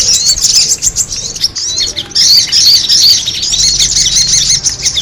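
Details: Sogon birds in a lure recording, with scattered sharp chirps, a short pause, then a loud tumbling chorus of overlapping high twitters and squeaks, with a low hum late on.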